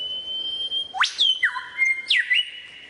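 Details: Lyrebird with varied song: long, pure, level whistles broken by steep upward sweeps and quick downward slides, sounding almost electronic.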